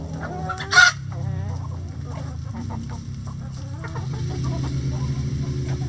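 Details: Coop chickens clucking in choppy, repeated notes, one sharp loud squawk early on, then a steady stream of murmured clucks over low hum.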